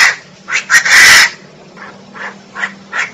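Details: Female Chinese francolin calling: a few soft, harsh notes, then a loud, raspy burst near the middle, followed by quieter, evenly spaced clucking notes.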